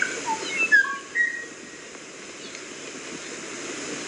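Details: Kauai ʻōʻō singing a brief run of clear whistled notes, short slurs stepping up and down in pitch within the first second and a half, followed by steady background hiss.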